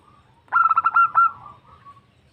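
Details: A female zebra dove calls a male, a sound used to lure birds: one phrase of rapid, rolling mid-pitched coos, about six stuttered notes ending in a longer held note and fading tail.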